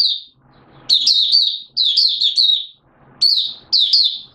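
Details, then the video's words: Malaysian Oriental white-eye (mata puteh), a hobby songbird, in buka sing, opening song, recorded in Singapore on 29 March 2023 in warm, humid weather with sudden showers. High, thin twittering phrases of fast slurred notes come in three bursts, separated by short pauses. "Malaysian Mata Puteh Buka Sing"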